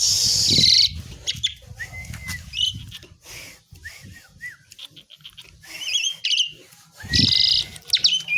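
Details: Asian pied myna (jalak suren) giving harsh buzzy bursts and scattered short whistled notes separated by quieter gaps, along with low rustling sounds.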